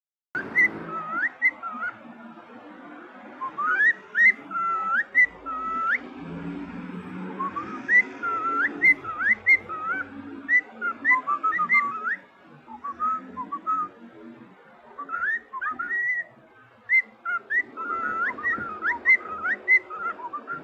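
Cockatiels whistle a bright, warbling tune in clustered phrases of rising and falling notes.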